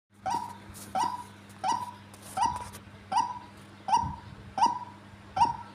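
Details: Tame female white-breasted waterhen, described as very vocal, giving a harsh, nasal note that drops slightly in pitch. It repeats steadily about every 0.7 seconds, eight times, over a low steady hum.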